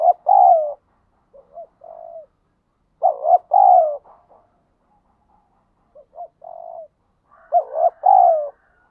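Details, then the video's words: Wild spotted dove in thúc gù cooing: loud paired coo phrases with a long, dipping final note, alternating with softer, short, murmured coos, repeated at an uneven pace. "chim cu gáy thúc gù bài bản, chim cu gáy đất thúc gù ngoài tự nhiên"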